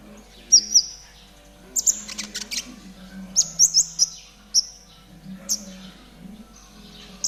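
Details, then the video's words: ['Konin singing the trotol style, meant to train caged birds to sing sooner. Bright, high whistles and chirps come in small groups, some sliding downward, with a low background hum.'] "MASTERAN KONIN TROTOL GACOR"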